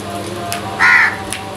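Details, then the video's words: Crow among crows fighting over food, giving a single harsh, buzzy caw lasting about a third of a second, set against steady background noise with a few faint clicks. "Crows Sounds"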